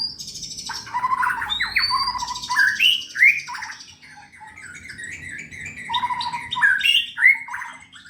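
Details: Indonesian caged white-rumped shama in contest form, pouring out a loud varied song of rich whistled phrases, sharp upslurs and tumbling notes in two bursts separated by a quieter pause.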